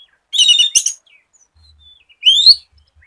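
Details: Oriental magpie-robin song used as a lure for other magpie-robins: two brief bursts, first a harsh buzzy phrase with a sharp click, then after a pause a clear rising whistle.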